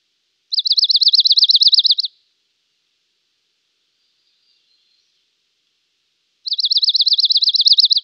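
A dark-eyed junco gives two high, even trills, each about a second and a half of rapid identical notes on one pitch, several seconds apart; otherwise quiet.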